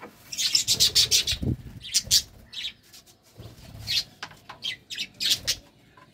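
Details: Courting budgerigars chattering in quick, high, scratchy chirps that come in rapid runs, broken by a short lull and a few dull low knocks.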